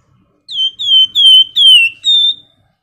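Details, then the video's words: Clear whistles from a flamboyan bird, a recording made to encourage other birds to sing: five pure, high, slightly descending notes in quick succession over about two seconds. "PANCINGAN FLAMBOYAN GACOR NYIUL CRECETAN LAWAN IKUT NGEBREN"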